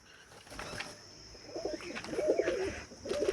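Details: Pigeons kept in a loft give soft, wavering coos that grow louder and repeat about once a second, over a steady background hum.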